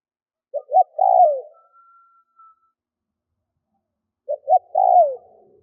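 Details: Decoy spotted dove cooing to provoke wild birds: two phrases nearly four seconds apart, each clipped double note then a long descending coo trailing off; a thin, steady high whistle runs faintly between them.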